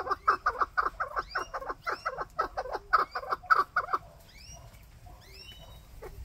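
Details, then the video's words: A chukar partridge gives a rapid run of harsh, clucking chuck notes, about three a second for four seconds, then stops; thin rising whistles from another bird follow. "Chukar Partridge Call Sound"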